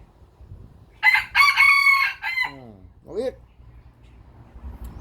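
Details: A Lao rooster gives a strong, segmented crow, then a drawn-out falling tail, followed by a short rising call, with low background rumble throughout.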